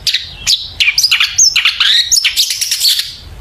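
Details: Long-tailed shrike song meant as a lure to set birds singing: quick succession of high whistled notes and downward slurs, ending in a rough, scratchy chattering burst.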